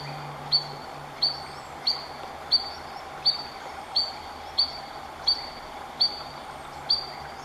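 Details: Adult Spotted Sandpiper at Three Forks Natural Area, Snoqualmie, WA, alarm-calling at an intruder too near its fledglings: sharp, high single 'weet' notes repeated about every 0.7 seconds over a low hum.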